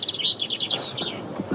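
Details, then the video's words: Common chaffinch singing on a forest trail, recorded for a forest wildlife sound inventory: a quick run of bright, high repeated notes slowing into longer phrases, with a few soft low knocks near the end. "Sur les sentiers de forêt, sauriez-vous reconnaître le chant du pinson des arbres?"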